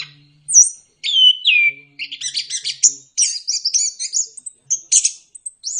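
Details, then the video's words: Orange-headed thrush used as a singing lure: a couple of clear downslurred whistles give way to a rapid, varied chatter of very high twittering and buzzy notes, with faint low sounds underneath. "Pancingan anis kembang biar ngeplong, solusi burung malas bunyi"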